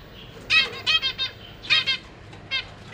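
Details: Young zebra finches fed by their parents in a cage, May 2023: two quick groups of harsh, buzzy, harmonic calls, each call stuttered into rapid pulses, then a single shorter call.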